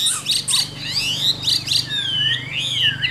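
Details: A caged yellow-billed Chinese hwamei sings bright, tumbling whistles: quick high notes followed by long, swooping glides that rise and fall in pitch.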